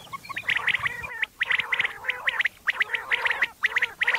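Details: Common quail calling for the morning: rough, buzzy bursts of short notes in quick clusters, several groups repeated across the clip with brief gaps between them.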